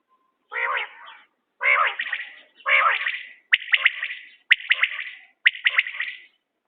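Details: Repeated calls of a common quail, recorded around quail hunting: three lower, rougher phrases lead into bright, abrupt triple-pulsed notes spaced roughly a second apart, with faint clicks between.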